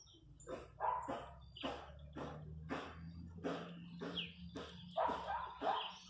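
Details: Countryside chachalacas calling with coarse, noisy bursts at an uneven pace, steady in loudness, over a low humming drone.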